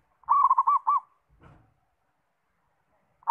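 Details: Active perkutut, the zebra dove, gives one clear phrase of four to five low, bubbling coos, followed by a soft thump and silence before the next phrase begins.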